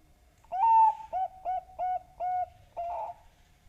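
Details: Lure call of a Bangkok zebra dove meant to coax other doves into song: one drawn-out opening coo, then five brief repeated coos and a slightly wavering final note, clean and close.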